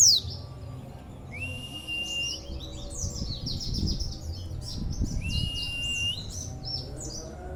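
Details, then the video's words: Oriental white-eye, a local contest bird whose song is described as strange and unique: sweeping high chirps, two long level whistles, and busy twittering runs, with low rumbling noise. "Pleci Suara ANEH..!!!"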